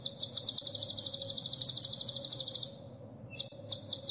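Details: Sunbird song for cage-bird masteran: a rapid, even trill of high ringing notes lasting over two seconds, silence, then a short low chip and two separate high notes.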